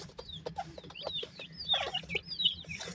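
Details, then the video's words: Several partridge chicks in Pakistan give shrill, thin peeps that slide downward, some louder and sharper than others, with light tapping and shuffling. "partridge babies"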